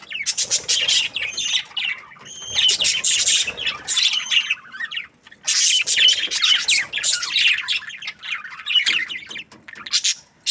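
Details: Budgie chirping happily, loud and continuous: rapid high chatter of buzzy squawks, clicks and warbled whistles, with a few short pauses between long busy runs.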